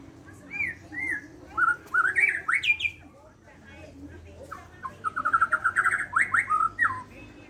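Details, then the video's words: Borneo white-rumped shama's morning song: mellow rising whistles and rich slurred phrases, then a fast, even trill running into louder swooping notes. "Kicau murai borneo di pago hari"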